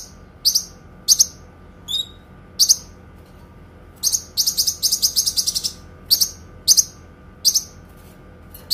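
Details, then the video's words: Kinoi song for training songbirds, in long clear bursts: high sharp chirps, one slurred wavering note, then a rapid run of about ten chirps before spaced chirps resume, with faint hum behind. "TEMBAKAN PANJANG, SUARA JERNIH BURUNG KINOI"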